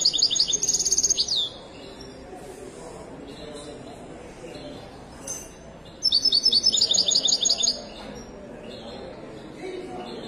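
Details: At a large bird market in Casablanca, Morocco, a widani goldfinch gives two short bursts of rapid, high, liquid twittering about five seconds apart, with market chatter and murmuring voices between and under them.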